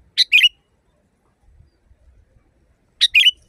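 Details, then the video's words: Sooty-headed bulbul phrase meant for training caged birds: a sharp high note followed by a quick warbling whistle, given twice about three seconds apart in a quiet setting. "Masteran burung kutilang di tempat raja kutilang. Suara keras fulll alam"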